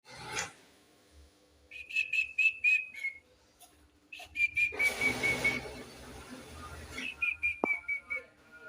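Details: White-rumped shama sings phrases of clear, high whistled notes repeated quickly in short runs, with pauses between phrases and a brief burst of rushing noise in the middle.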